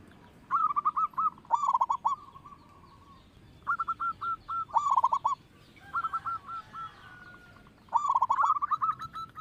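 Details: Local zebra dove with a loud voice, singing as a lure to draw other birds into song: four bursts of quick, clipped cooing notes, each opening with a rapid rattling cluster, then a few steadier coos.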